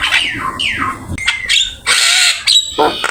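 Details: Javan myna singing energetically in a master recording for training other birds, full of borrowed phrases: harsh squawks, falling whistled sweeps and buzzy bursts with short pauses between them.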